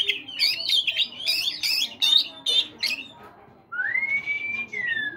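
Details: Caged Oriental magpie-robin singing in the morning to prompt other caged birds to sing: rapid varied whistled phrases with harsh notes, then a long smooth rising-then-falling whistle.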